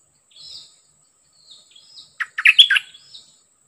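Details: A very aggressive captive wild bird with a decoy: a soft whistled note, a pause, faint slurred calls, then a loud quick burst of scratchy, chattering song notes tailing off softly.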